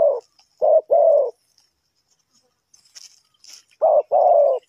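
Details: Spotted dove cooing in Ninh Thuận, Vietnam, as a trapping lure: short low hoots and longer steady croons in two bursts separated by a quiet gap with faint chirps.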